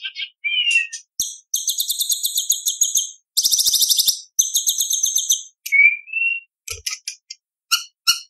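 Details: Shama in lively competition song stuffed with imitations, used to tutor young speckled shamas: a short whistled phrase, long dense high chattering runs, a clear rising whistle, then scattered sharp chips.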